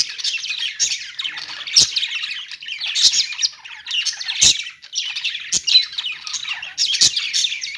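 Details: Budgerigars in a pet store produce constant raspy warbling and chirping, loud throughout, with occasional sharp clicking ticks.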